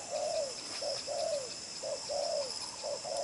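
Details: Spotted dove of đồng pha chân cua strain, hard-cooing and restless, delivering driven coos with a trailing end: three quick short-long coo pairs, the long note gliding downward, against a steady high hiss.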